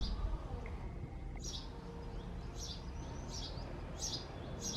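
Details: Male house sparrow calling nonstop at a nest box in a home backyard: a series of short, bright chirps, roughly five, spaced under a second apart from the second half onward, over a constant low rumbling background.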